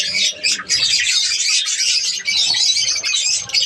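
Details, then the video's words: Budgerigars in a breeding colony keep up loud, continuous chattering, with squeaky warbles and harsh chirps packed closely together, and one brief dip in the noise. "australian parrots budgies ke birds colony"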